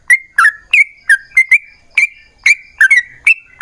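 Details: Long 'ropel panjang' song of a yellow-vented bulbul, played to make other bulbuls answer: quick gurgling notes that bend downward and then level off, delivered in close irregular bursts.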